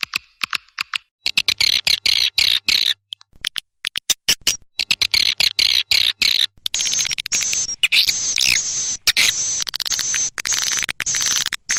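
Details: Swiftlet calls used to attract swiftlets: dense bursts of high, buzzy chattering twitters, broken by short gaps and then running almost continuously in the second half.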